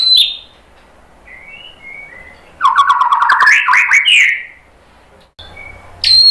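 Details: White-rumped shama song played to draw song from other birds: quiet warbles leading into a long loud buzzy rattling trill rising in pitch, ending with a sharp high whistle.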